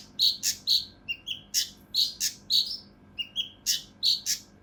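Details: Mountain leaf warbler song in a harsh, dense, unique bursting style, used as a tutor recording for competition birds: rasping broadband bursts alternate with short high chirps, about fifteen notes in quick, uneven succession, over a quiet background.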